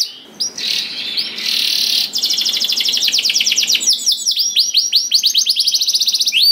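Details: Canary singing to lure other canaries into song: a brief buzzy rattle opens, then a long rapid trill of high sweeping notes followed by clear, evenly spaced upswept whistles.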